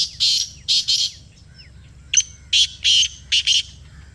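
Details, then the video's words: Kala teetar, the black francolin of Pakistan, calling in reply to a played call: two rasping notes, a pause, then a fuller phrase of a sharp clipped note and four harsh grating bursts, over faint low rumble. "یہ آواز سنائی تو کالا تیتر بول اُٹھا . Kala Teetar Ki Awaz | Black Partridge Voice"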